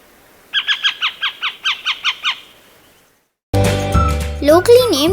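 Pied Harrier giving a quick chattering series of about nine sharp, nasal notes, roughly four per second, followed by music and a voice.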